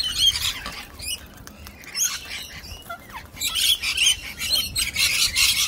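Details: Cockatoo, one of them one-eyed, in a stand-off with a rival cockatoo; harsh, raspy squawks come in short broadband bursts, scattered irregularly and growing denser toward the end, with faint outdoor background.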